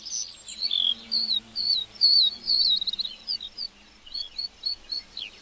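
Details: Meadow lark giving loud, quick, high whistled phrases that fade into a string of short, evenly spaced chirps.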